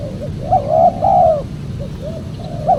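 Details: Spotted dove cooing, used as a lure to call in wild doves for trapping: soft rounded coos, one short and one drawn out, with quieter notes between them.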